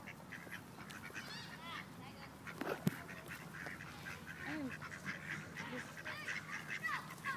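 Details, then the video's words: Ducks in Wilmington, North Carolina, a group of rejected males trying to forcibly mate a female: a busy stream of nasal, harsh calls and quacks with rising and falling whistled notes, steady low hum underneath. "Ducks Mating Forcibly"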